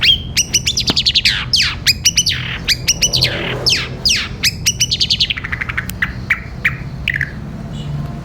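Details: Long-tailed shrike in the energetic 'gereja petir' style, a long song used to tutor caged birds: rapid bursts of sharp, harmonic chirps and steep downward sweeps, tumbling in quick succession, with faint low hum underneath.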